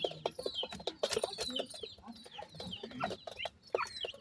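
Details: Grey francolin chicks feeding alongside their family, giving quick high, slurred cheeps in clusters, mixed with low soft clucking and sharp tapping or pecking clicks.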